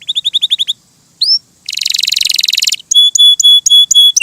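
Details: Canary song in separate bursts: a short series of quick chirps, a single rising whistle, a dense buzzy rattle, then several flat, sustained pure whistled tones.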